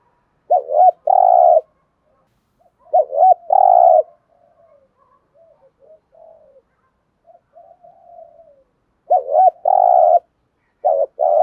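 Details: Spotted dove giving the thúc gù coo: phrases of a quick double-looped note followed by a long, even, buzzy low coo, three bouts with quieter soft cooing between them.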